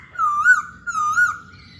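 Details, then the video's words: Masked laughingthrush, a lively singing bird: two loud, clear whistled phrases, each rising and falling smoothly, about half a second apart, then fading. Faint low background rumble. "Burung Poksay Hongkong Gacor"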